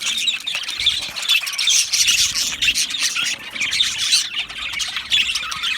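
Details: Australian budgerigars in an aviary colony, recorded 12 July 2025, giving a dense continuous chatter of high squawks, chirps and warbles from many birds at once, with no pauses.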